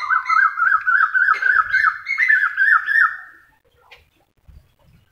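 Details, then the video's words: Cuckoo calling at Latori Syedan, Matore, near a mosque: a loud, fluting, warbled whistle run of quickly repeated notes lasting about three seconds, then quiet with a few soft distant knocks. "sweet voice of Cuckoo"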